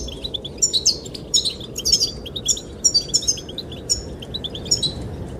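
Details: Goldfinch courtship singing aimed at a female: clear, high, slurred chirps and short trilled phrases spaced evenly through the clip, over a soft constant hiss of wind.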